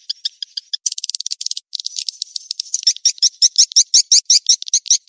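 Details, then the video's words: Mating-chase ('kejar kawin') calling sound for swiftlets: scattered high clicks and chattering twitters build into a regular, loud pulse of sharp chirps repeated roughly three times a second, clean and without background noise. "SUARA PANGGIL BURUNG WALET‼️ REVISI SP KEJAR KAWIN ORIGINAL‼️"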